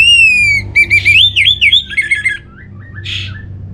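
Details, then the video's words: Orange-headed thrush from North Bali singing to coax birds into song: a long clear descending whistle followed by a fast series of looping whistled notes, then a brief rasp. "Trbaik Buat Pancingan Burung ANIS MERAH Agar Gacor"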